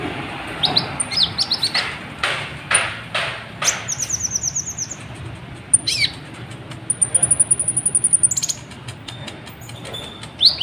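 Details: Kolibri ninja sunbird in continuous song meant to provoke other birds to sing: sharp high chips, a short trill, then a long, very high pulsed trill lasting over a second, and scattered thin notes.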